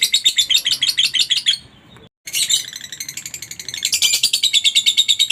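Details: Lovebird chattering to prompt others to sing: fast shrill twittering, a brief silence, then the rapid high-pitched chatter returns and builds steadily louder.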